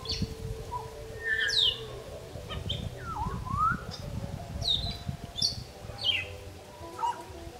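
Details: Several wild grey parrots in Uganda give their nightly evening chorus around 5:30, trading clear whistles: sharp downslurs and a rising fluted note, scattered every second or so, over a low rumble of wind.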